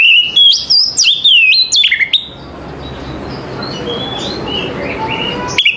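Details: Oriental magpie-robin in morning song gives a burst of loud, sharply shifting whistles in the first two seconds, then goes quiet except for faint distant chirps and a few soft notes.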